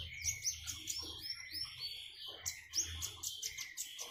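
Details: Common iora singing beside trickling water: thin high chirps and short upward-sweeping whistles, repeated quickly and unevenly, with some lower buzzy notes and a soft low gurgle underneath.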